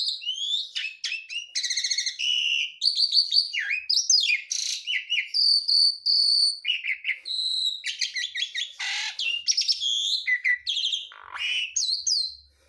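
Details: Javan pied starling of the garuda type, puffing up during its full mimicry song: a dense stream of whistles, buzzy rasps, trills, chirps and slurred phrases rapidly swapping one for another, high and continuous, with no other sounds.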